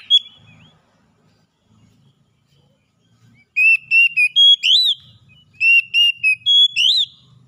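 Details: Oriental magpie-robin song used to train caged birds: after a near-silent start with faint low murmurs, two loud whistled phrases of clear steady notes, each ending in a rising-falling slur, about two seconds apart.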